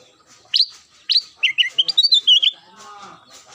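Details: Ruby-throated bulbul (kutilang emas) singing its daily song: a quick run of clear whistled notes, first two sharp upslurred calls, then a rapid chain of warbling, bubbling phrases in a fairly quiet setting.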